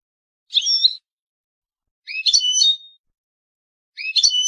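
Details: European goldfinch from Palestine singing: three short bright twittering phrases high in pitch, roughly 1.5 seconds apart, each a tangle of quick liquid notes with a buzzy edge, against a silent background.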